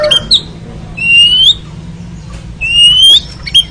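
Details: Oriental magpie-robin (kacer) training recording for ngeriwik song: long, pure whistles that rise gradually, coming roughly every two seconds, with brief chirps in between.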